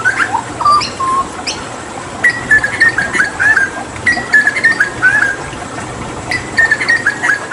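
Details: Hooded butcherbird, a clever bird endemic to Papua and a skilled mimic of other birds, kept as a tutor bird for other songbirds; clear whistled and fluting phrases around mid pitch, repeated in short bursts over a steady hiss of running water.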